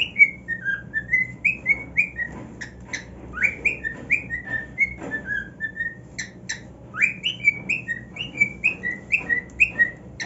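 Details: Pet cockatiel, a male, sings on his new nest, excited and happy: a brisk run of clear whistled notes, some slurred downward, others rising, with a few sharp clicks between phrases and faint music beneath.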